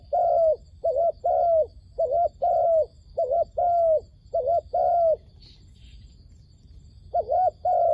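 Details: Wild-dove trap decoy calling: a long string of low paired coos, short-long, about once a second, then a two-second silence before the cooing resumes; faint background hiss.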